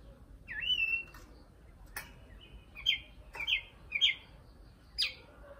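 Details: Nightingale song: a short rising whistle, then a series of brief, sharp chirps and clicks spaced about half a second apart, with a quiet low background hum.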